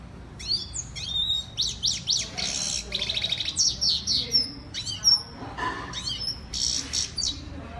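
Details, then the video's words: A female European goldfinch, known locally as Saira, delivers a lively twittering song of quick, high rising and falling notes, buzzy trills and sharp chips that run on in a dense, continuous stream. "European Lady Goldfinch or Saira Bird Singing"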